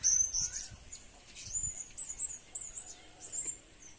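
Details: Blue-crowned hanging parrot intended as a lure, uttering a loose string of thin, high twittering chirps, some slurred, at moderate volume against faint background noise.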